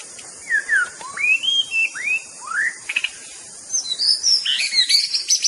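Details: Murai batu, the white-rumped shama, sings a run of clear whistled notes sweeping up and down in arcs, followed by fast high twittering and chattering phrases, steady background hiss throughout.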